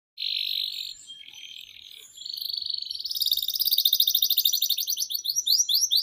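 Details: Canary singing in the long, continuous 'gacor panjang' style, offered as a tutor recording for young canaries: a steady high buzzy note, a softer wavering passage, then a rapid rising pulsed trill that quickens and grows louder.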